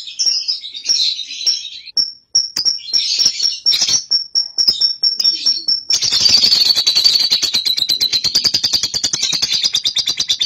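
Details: Young cobalt lovebird, ngekek used as a lure for other lovebirds: squeaky, irregular high chirps and twitters for six seconds, then a long, fast, rhythmic rattling trill.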